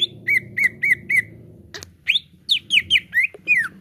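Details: Greater green leafbird (cucak ijo) song played as a lure for caged birds: four level whistled notes in a row, a sharp click, then rising and falling slurred whistles in quick succession over a soft low hum.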